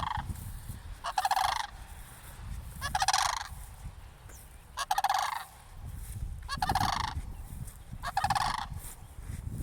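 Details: Cranes close to a church call repeatedly while a person nears them: five buzzy, rattled bursts spaced about two seconds apart, over a low rumbling background.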